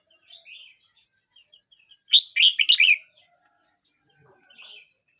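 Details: Young red-whiskered bulbul, aged 12 months 29 days, gives a single loud burst of rich, bubbling warbled notes at mid-clip. Softer scattered chirps come before and after, in otherwise quiet surroundings.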